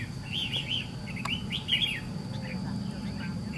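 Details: Red-whiskered bulbul, white-cheeked, in a trap fight with a decoy: a quick burst of bright, bouncing warbled notes in the opening two seconds, then fainter chirps as people talk nearby.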